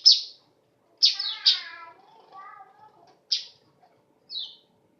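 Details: Weaver, whose voice is described as sharp and almost canary-like, gives loud, sharp, downslurred chirps spaced about a second apart. Softer, lower, drawn-out notes follow the early chirps.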